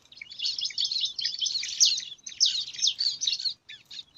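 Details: Five bar-winged prinia chicks compete for food in a nest set in alang-alang grass, producing an intense, unbroken torrent of high, harsh, sizzling begging calls that eases off only near the end.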